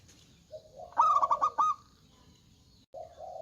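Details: A singing local zebra dove: a short low coo, then a loud burst of five or six quick, bright clipped notes, followed by a brief pause and another low coo.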